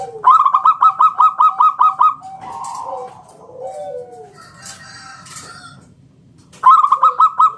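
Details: Local zebra dove, a frequent singer, giving its 'ngalun kung bulat' song, used as a lure to draw other doves into singing: a fast run of about nine bright, even coos, then quieter low descending coos from other doves, then the run begins again.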